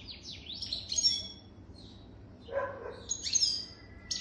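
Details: An adult European goldfinch, more than three years old, gives short phrases of sharp, high twittering and slurred whistles, separated by a brief pause and a lower rasping note.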